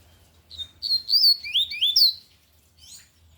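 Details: Lined seedeater delivering a loud Tui Tui style song: a high piping phrase of clear whistles, steady at first, then dropping into two swooping slurred notes that rise and fall, with a brief softer echoing note after.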